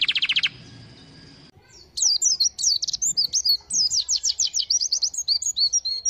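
A white-eye pours out a fast, high twittering song of rapid chirps and sliding notes, preceded by a brief burst of quick tweets.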